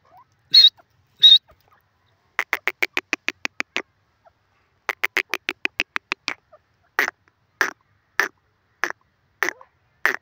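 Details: Francolin in a cage at Khairpur: two high squeaks, then fast runs of dry, rhythmic clucking notes that slow into widely spaced single notes toward the end.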